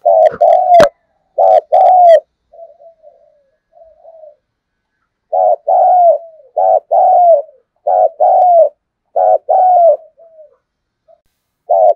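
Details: A decoy spotted dove calls to draw in wild birds, giving repeated two-part coos, each a short pulsed note and a longer note slurring downward. Quieter murmured coos fall between series, and there are a few clicks near the start.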